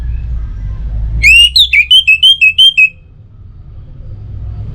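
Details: Orange-headed thrush song, used as a lure to get other birds singing in the morning and evening: a phrase of about eight clear whistled notes, each with a short rising-falling inflection, delivered evenly over under two seconds against a quiet low hum.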